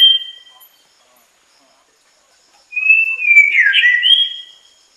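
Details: White-rumped shama singing: after a brief whistled note and a pause, one rich whistled phrase opens on a steady tone, twists into fast warbling slurs and ends on a higher held whistle.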